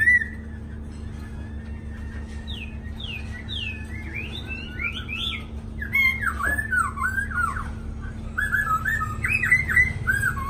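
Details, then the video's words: Two newly arrived caged black-throated laughingthrushes sing long, loud, clear whistled phrases that slur up and down in quick runs, over a steady low electrical hum and room noise. "khướu mun mau mỏ đã hót lai dai đẹp"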